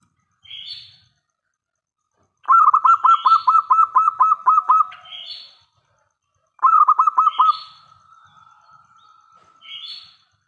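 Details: Local zebra dove with a loud voice, singing as a lure to make other doves answer: two bursts of rapid, pulsed, rolling coo notes, about ten in the first and fewer in the second, with brief higher chirps from another bird between them.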